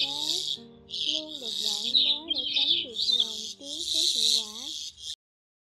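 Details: Migratory white-headed starlings give harsh, buzzy chatter in four dense one-second bursts over a lower wavering melodic tone like music or a voice; a lure recording for trapping in Vietnam's 2020 bird season.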